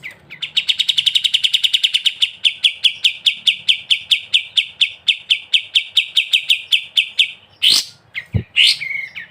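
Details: Kapas tembak singing ngebren, a sooty-headed bulbul in full voice. A long rattle of high chips starts very fast and gradually spaces out over seven seconds. It ends with a few abrupt, sharp, loud notes.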